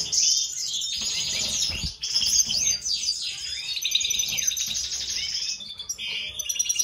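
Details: Breeding pair of mutation European goldfinches, a eumo male and a pied female: continuous high, rapid twittering song of buzzy chirps and fast descending notes, with a steady background hiss.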